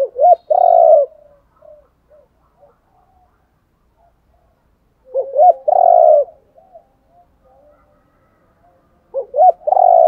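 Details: Spotted doves, male and female, giving decoy coos meant to rouse training birds to fight: three phrases roughly four to five seconds apart, each two brief rising hoots ending in a long rolling coo, with soft trailing notes.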